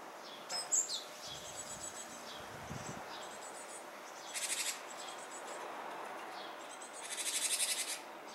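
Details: Japanese tit near fledging time, apparently holding back: two bursts of harsh, rapidly pulsed buzzy calls, a short one midway and a longer one near the end, over steady background hiss with faint low rumbles early on.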